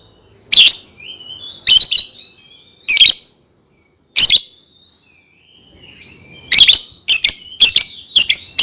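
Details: Lovebird song used as a training lure for young birds: loud broadband chirps at irregular intervals, linked by thin high whistles and faint chatter, ending in a quick run of five sharp chirps.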